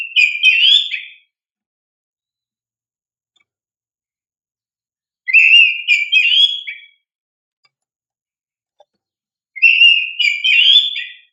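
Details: Vigorous oriental magpie-robin singing, a lure for young untrained birds: three bright, warbled whistled phrases about one second long, spaced four to five seconds apart in otherwise silent surroundings.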